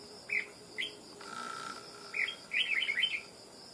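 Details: Wild-caught red-whiskered bulbul with a loud, ringing voice, quick to sing: three separate sharp chirps, then a rapid cascade of bright warbled notes, with a steady thin whine in the background.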